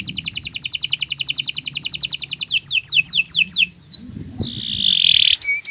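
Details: Canary song for training other cage birds: a fast rhythmic trill of repeated notes shifting into slower falling sweeps, then scattered chips and a long even whistled note.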